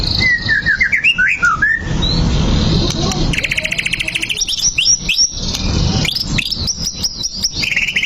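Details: White-rumped shama song used to provoke fighting: slurred whistled notes, then a pause with broadband noise and a vehicle-like rumble, followed by rapid high repeated phrases and bright rising whistles.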